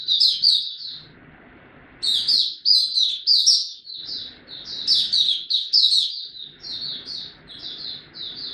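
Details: Oriental white-eye singing buka tiong aw style while ramping up form, 3 January 2022. A brief opening trill, a one-second pause, then long runs of bright, fast chirps and warbled notes, about three notes a second.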